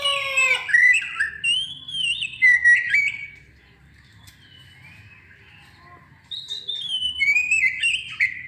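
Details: Oriental magpie-robin singing a lure song meant to spur other birds to sing: rich, varied whistled phrases with quick slurs and trills, a pause of about three seconds, then fresh rising and falling whistles.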